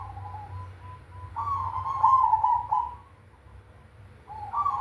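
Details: Zebra dove, cemani variety, in big 'kung' voice: quiet short notes lead into a strong rolling double coo, a pause, then another coo begins at the end; faint hum behind.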